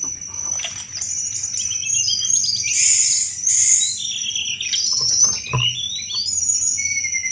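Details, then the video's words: Sunda robin delivering its busy chattering song, used as a lure for every kind of thrush: dense high trills, whistled slurs and rattling clicks poured out continuously, with a few low knocks. "tledekan gunung gacor cetrekan cocok buat mancing segala jenis anis"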